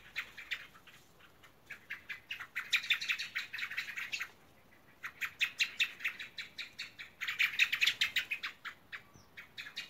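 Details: Common blackbird (Turdus merula) at an apartment in Frontera, El Hierro, calling before nightfall as the birds settle to roost: sharp, bright chinking notes repeated several times a second in bursts separated by short pauses.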